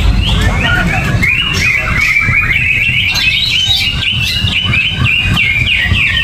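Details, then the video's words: Gerabakan song from a caged greater green leafbird with no cover and no banana: repeated short stepped whistles and chirps at an even, lively pace above a low rumbling background. "Cucak Ijo Gerabakan No Pisang , No Kerodong , Cuaakkzzz !!!"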